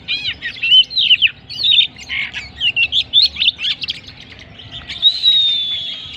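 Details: Champion Oriental magpie-robin in full song: a busy stream of loud warbled and chattering notes in short bursts, ending in a long sustained high whistle.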